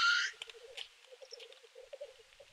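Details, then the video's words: Black grouse at the lek in Kuusamo in May 2021, males displaying and fighting in snow: a short hissing sneeze opens, then a steady low bubbling, cooing roll continues with soft clicks. "Black grouse fights. Teeret soitimella Kuusamossa 05-2021"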